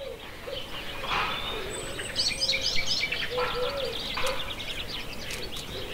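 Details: Eurasian penduline tit on spring migration passage beside a small pond in the countryside of central France, 28 March 2020, morning, over six birds present; one long, thin, high, even whistle amid other birds' short chirps and steady background rumble.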